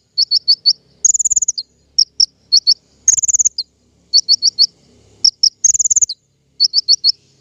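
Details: King konin song as a trapping lure: bursts of four fast, piercing chirps separated by short buzzy trills, in a steady repeating cycle.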